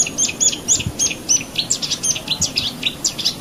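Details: Rapid, varied Marsh warbler singing, packed with short high chirps, trills and slurred notes in quick succession. The species is known for mimicking many other birds within its song.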